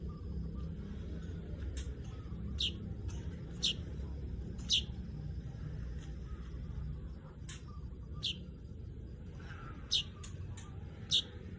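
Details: Weaver calling with short, sharp chirps given at uneven intervals of about one to two seconds, each a quick downward-slurred note, over a steady low background rumble.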